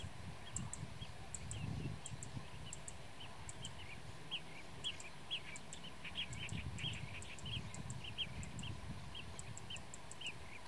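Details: Blue-tailed bee-eater (kirik kirik laut) producing frequent trilled chirps, denser and louder midway, alongside paired high ticking notes and low rumbling noise with occasional thumps.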